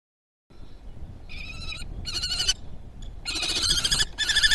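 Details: Common kestrel (Falco tinnunculus) calling during mating, 30 April 2020, at a nest in Théding, France: high, quavering, trilled whines in four bursts, each under a second, over a low rumble of wind.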